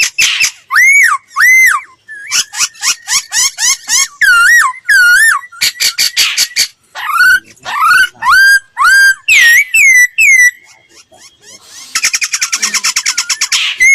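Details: Sustained laughingthrush song for voice training: loud looping whistled phrases in varied bursts, ending with a fast dry rattling trill.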